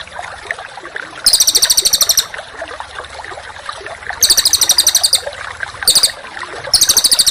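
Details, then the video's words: Songbird song for training contest birds, in the coarse 'tembakan' style: four separate bursts of fast, harsh, very high rattling notes, each about a second long, with soft background chatter between them. "Masteran Burung Kicau Tembakan Rapat dan Kasar"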